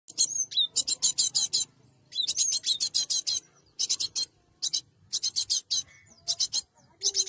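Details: Cinereous tit, recorded as a lure for trapping birds: rapid bursts of harsh, buzzy, high notes grouped in dense rattling runs with short silent gaps, plus a few thin whistled slurs between bursts.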